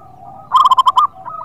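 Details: Local zebra dove in full voice, used as a lure for birds reluctant to sing: a single quick burst of six bright, bubbling coo notes, faint dove cooing before and after.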